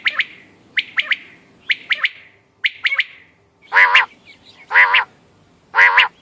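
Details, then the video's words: A quail, recorded 14 May 2025 as a sound for quail hunting, gives crisp, clipped three-note phrases about once a second, then three harsher, broad rasping calls at the same pace. "quail bird sounds bater ki awaz quail sounds 👌 🔥 بٹیر کی آواز شکار کیلئے quail bird"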